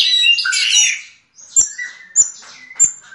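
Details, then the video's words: A brief snatch of yellow-legged thrush song in the diamante negro style: an opening burst of high, scratchy twittering, then a pause and a few sharp, separated high notes. "Sabiá una diamante negro cantando!"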